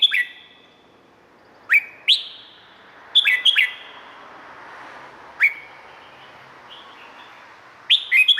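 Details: Red-whiskered bulbul in Thailand, a recording for training or stimulating birds: scattered single upward-sweeping whistles mixed with short, fast chirpy phrases, irregularly spaced, all ringing with echo.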